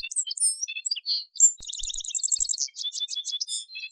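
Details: Male Atlantic canary singing: a rich run of high, varied chirps, trills and clear whistled notes, with a rapid buzzy trill in the middle and bright notes between, no other sounds.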